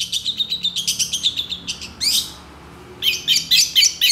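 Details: Mimicry-laden long-tailed shrike song, excitable and responsive to rivals: a fast run of even squeaky chips about four a second, a harsh rising slur, a quiet pause, then more rapid scratchy notes.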